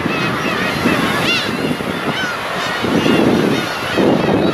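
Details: Black-tailed gulls in a huge flock, many birds mewing at once. Nasal, downward-curving cries overlap constantly against a low roar of wind and waves.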